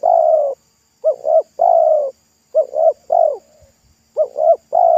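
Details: Wild local spotted dove by a roadside, its thick, loud voice said to resemble the pesom song style; low mellow cooing phrases, each two short swelling notes then a long drawn steady coo, repeated several times with brief pauses, faint steady high hum behind.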